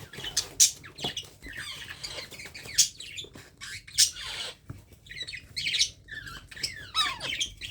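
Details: Hand-fed baby parrot calling in a run of rough, high squawks and chirps, irregular and closely spaced, with brief quieter pauses between bursts.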